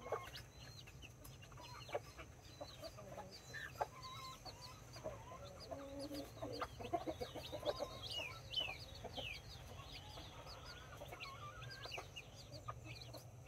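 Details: Nine chicks, four mini and five Brahma, with two mother hens on October 24, 2024: a constant stream of thin, high downward-sliding peeps, with soft low clucks from the hens mixed in over a steady low hum.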